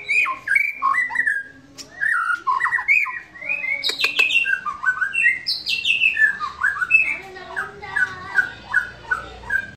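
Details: White-rumped shama in relaxed song: varied whistled phrases, quick descending note runs, sharp clicks and a rapid rhythmic warble near the end.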